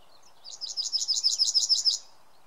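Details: Yellowhammer recorded in May 2016 in Samara Oblast, Russia, giving a high, dry trill of about a dozen rapidly repeated buzzy notes that swell in loudness over one and a half seconds before stopping, with a soft low background hiss.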